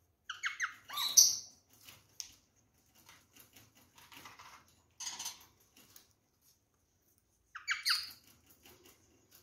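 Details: A pair of rose-ringed parakeets being fed fruit, apple and orange, give two short bursts of harsh, grating screeches about seven seconds apart, with soft clicking and rustling sounds in between.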